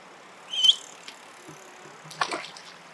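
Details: Eastern spot-billed duck duckling, in the voice-breaking stage, suddenly gives a 'pyui' call while flapping and jumping, cause unknown. One short, high whistled peep, then a burst of wing-flapping rustle. Recorded with a Nikon P950 superzoom camera.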